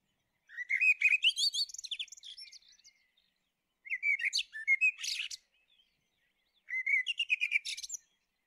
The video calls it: Common blackbird call